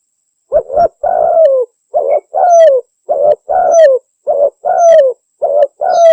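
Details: Spotted dove (tekukur, wild pigeon) cooing in a steady two-part rhythm, a short note then a longer gently falling coo, repeated about every second; used as a lure call for hunting doves.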